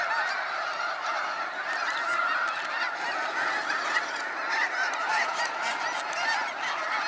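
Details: Many snow geese leaving in waves at sunset from Sacramento National Wildlife Refuge, their massed honking forming an unbroken roar of overlapping calls, with sharper individual honks standing out.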